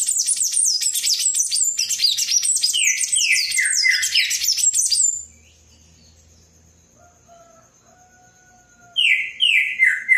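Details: Palm tanager delivering about five seconds of dense, high-pitched jumbled twittering that ends in falling slurred notes. After a quiet stretch with a faint thin tone, a few loud descending whistles return.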